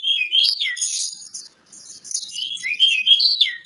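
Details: Oriental magpie-robin (kacer) singing ngobra style: loud, rapid, whistled and twittering phrases sweeping up and down, a brief pause midway, then varied fluty notes resuming.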